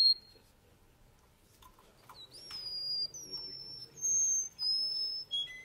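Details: Male Russian canary singing softly: after a quiet start, a rising slur, then several clear sustained whistles at shifting pitches separated by short silences.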